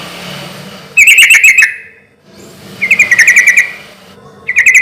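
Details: Sooty-headed bulbul in loud, steady song meant to prompt other bulbuls to reply: three short bursts of quick ringing notes, each under a second long, separated by gaps of about a second, with faint background hum.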